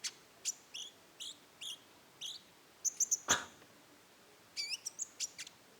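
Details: Rufous-tailed shama (konin) singing in the roll tembak style: spaced, very high, thin notes with hooked double tones, one loud sharp click, then a quick bright cluster of notes.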